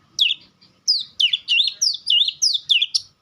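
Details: White-rumped shama repeating a looping, whistled phrase about seven times in quick succession, each note swooping down then up.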